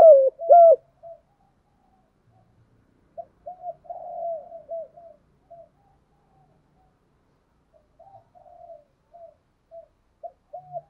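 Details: Decoy spotted dove for attracting wild doves: two loud hollow coos at the start, then scattered soft, short coo notes spaced over several seconds of near quiet.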